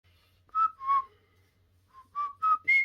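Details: Pet common hill myna practising the River Kwai March: two clear whistled notes, the second lower, then after a pause a rising run of four pure whistles climbing in pitch, with a faint low hum behind.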